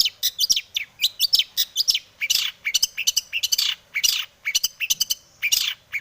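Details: Dense long-tailed shrike song used to goad other shrikes into singing: rapid scratchy chatter, squeaky whistles and buzzy rasps packed in fast bursts on a quiet background.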